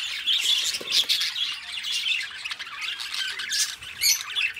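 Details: Two pet budgerigar companions chattering and singing: continuous high scratchy warbling mixed with sharper squawks and chirps, the loudness rising and falling in short bursts.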